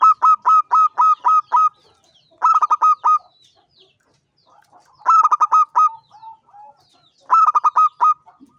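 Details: Champion local zebra dove (perkutut) singing repeatedly: four phrases of fast, pulsed cooing notes, each phrase five to seven notes, spaced by brief pauses with soft murmurs between.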